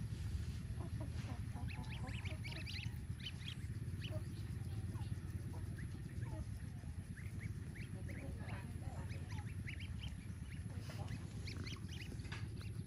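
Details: Young crossbred Lion Head geese, the season's first hatch, giving short, nasal honks over a steady low rumble.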